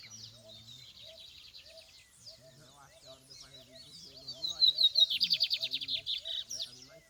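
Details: Lined seedeater heard in the field on a campeada outing, its song ending in a loud, fast pulsed buzzy trill after scattered twittering, with people talking quietly underneath.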